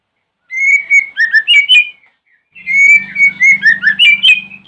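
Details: White-rumped shama lure song in the morning, played to get other shamas to reply: two dense phrases of fluty whistles and quick down-slurred notes, the second over a low buzzing hum.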